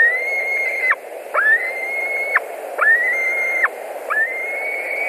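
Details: White-tailed eagles at their Latvian nest, 11 July 2020, 21:09, as one returns for dinner: four upslurred whistles, each held about a second and clipped off sharply, repeated roughly every 1.4 seconds over a steady hum.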